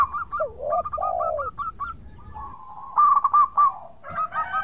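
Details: Local zebra dove singing steadily, recorded for luring rivals into replying: drooping coos and trains of short staccato notes, a softer sustained tone midway, then loud clipped notes.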